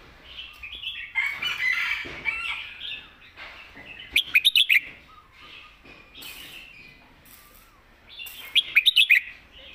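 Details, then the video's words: A red-whiskered bulbul kept as a competition bird sings its full, thick-toned master song. Busy chattering leads into a quick run of loud clipped notes at about four seconds, and a similar bright burst returns near the end. "ใส่เต็มทุกดอก"แกนเสียงหนา เพลงแม่บท/นกแข่ง#นกกรงหัวจุก #เสียงนกกรงหัวจุก"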